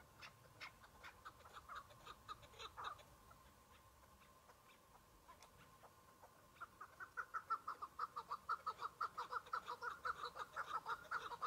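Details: Chukar partridge, one bird in spring with snow patches, season newly open: scattered chirps, a quiet pause, then a loud accelerating series of rhythmic chuk-chuk clucks about twice per second.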